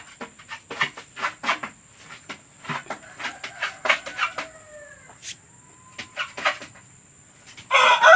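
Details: Domestic hens recorded to be played to hens about to lay, meant to lure them to lay eggs; a run of short, sharp clucks at uneven spacing, with a few drawn-out tonal notes between them and a loud burst at the end.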